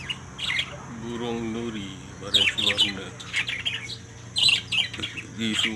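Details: Lory giving harsh, shrill squawks in short bursts, several rasping calls clustered together, with a human voice speaking at a lower pitch between them.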